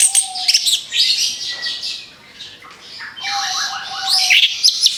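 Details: Orange-headed thrush song used to lure other birds: scratchy, high twittering bursts with a flat low whistle beneath, a brief quieter gap in the middle, then renewed rapid chatter.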